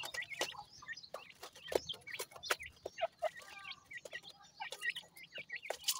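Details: Grey francolin chicks being fed keep up a busy chorus of high chirps and twittering peeps, punctuated by frequent sharp clicks and taps from pecking.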